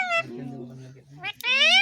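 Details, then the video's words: Pet parrot speaking: a short nasal word-like phrase, a low drawn-out voiced sound, then a bright, harmonic-rich syllable, in a quiet small room. "बेटे बोलने वाला मिट्ठू parrot🦜|| Bolne Wala Tota"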